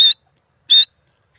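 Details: Two short, high, whistled notes from a grey francolin (teetar), spaced under a second apart, each slightly rising at the end, with silence between them.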